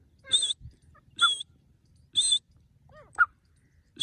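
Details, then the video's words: Grey francolin call used for hunting: three short, shrill, high squeal-like notes about a second apart, then softer, lower broken notes, with faint background rumble. "Grey francolin bird sounds hunting"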